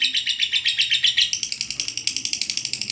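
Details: Long 'ngekek' chatter of a lovebird, used as training audio for other birds: high, buzzy chirps in a quick, regular series that speeds up partway, over a faint low background hum.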